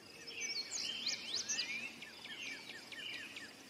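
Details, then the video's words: Indigo bunting song: a rapid, jumbled run of high sliding notes sweeping up and down, followed by a series of short, evenly spaced high chips, with insects buzzing faintly behind. "Indigo bunting song / call / sounds"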